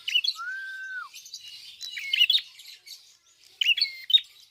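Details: Red-fronted prinia singing in full voice: a drawn-out level whistled note falling at its end, followed by squeaky high chirps, twitters and short whistles in bursts.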